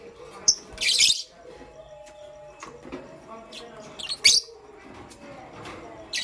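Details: Pastel gray and green lovebirds kept as pets, chirping in the morning: one long raspy screech, then a scratchy double chirp and a short high note, with faint low chatter and steady tones beneath.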